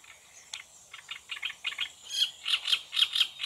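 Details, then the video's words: A Great reed warbler, recorded on 13 June, sings harsh, grating notes in quick bursts, building from softer chattering to louder, rasping phrases over a few seconds. "ROUSSEROLE TURDOÏDE chant - Great Reed Warbler"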